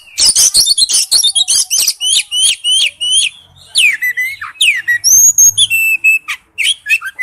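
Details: Oriental magpie-robin singing its wild-type song; a fast string of sharp high whistled notes and short rising slurs, densely repeated, with a brief pause midway.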